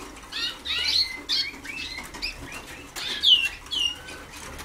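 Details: Young Waterslager canaries in song training, 2010: uneven warbled phrases with quick rising and falling slurs and a bright downward sweep near the end, over light background noise.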